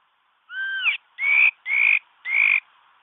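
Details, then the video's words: Mi đất bird singing as a lure for trapping: one curved, downslurred double-toned note, then three loud rising whistled notes, each about 0.4 s long, at a quick even pace. "suab kaim kauj quaj zoo cuab ,mi đất hót bẫy đâu"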